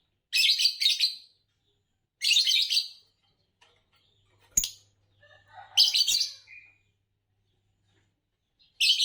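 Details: Green Fischer's lovebird, described as a champion singer, giving harsh, buzzy chirp bursts in short clusters about every two seconds, with a sharp click near the middle and a quiet background.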